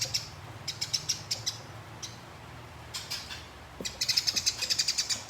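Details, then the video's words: Eurasian tree sparrow singing a fighting 'ngeroll' rolling song, recorded as training for competition birds: bursts of rapid bright chirps, a pause with sparse notes, then a long steady chattering run of quick repeated chirps. "Gereja Tarung Ngeroll Abis"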